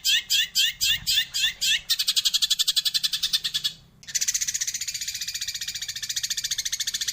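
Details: Eurasian tree sparrow in the 'roll tembak' and 'tembakan' song style: about seven separate loud chirps, then a rapid rolling trill, a brief pause, and another dense high buzzing trill.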